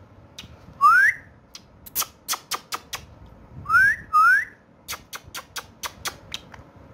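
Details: Talking pet parrot, Urdu/Hindi speaker, in a room: three rising whistles, the last two close together, interspersed with quick trains of crisp clicks.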